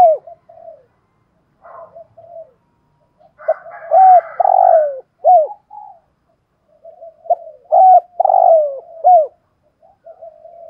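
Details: Decoy spotted dove cooing and calling in the 'giọng thổ sấm thúc' style: soft low murmured notes leading into louder sweeping coos that rise then fall, a rougher burst in between, the pattern repeating twice.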